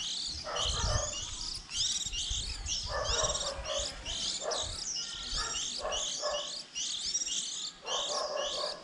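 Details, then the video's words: Many young white-eyes calling together early in the 2020 season, a recording meant as a trapping lure for April when chicks leave the nest; rapid high twittering chirps in overlapping clusters, with faint low rumbling underneath. "Tiếng khuyên non đầu mùa 2020"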